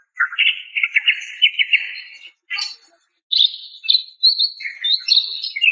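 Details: Female greater green leafbird calling a male: a rapid trilled chatter, a brief raspy burst, then high whistled and chirping notes.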